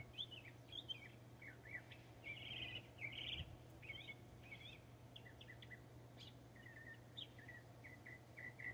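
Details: Northern mockingbird in Texas singing a varied medley: buzzy harsh phrases, then a string of repeated short slurred whistles, over steady low hum.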